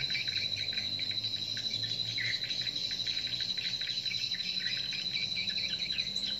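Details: Edible-nest swiftlet lure call played at a nest-house building in a location where competing lure sounds are broadcast, meant to attract swiftlets: dense, rapid chirping twitters packed together, with a steady high thin tone running beneath throughout.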